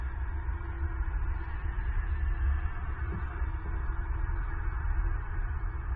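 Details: Deep, throbbing low hum with dull wind-like rumble throughout and no animal calls.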